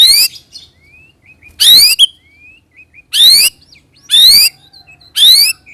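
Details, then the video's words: White-rumped shama (murai batu) used as a lure to make other shamas sing: loud, rasping rising bursts repeated roughly every second, with soft thin whistles in the gaps. "pancing murai dengan roll tembak ini murai batu manapun akan respon bunyi ngerol"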